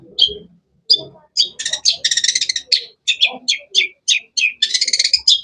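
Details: Long-tailed shrike, or cendet, alternating single sharp high chirps with rapid rattling trills, the notes coming in quick succession throughout.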